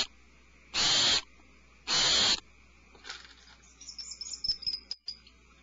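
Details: In a nest cavity, alarmed owlets give two loud hissing screeches close together, followed by softer high twittering and faint chirps.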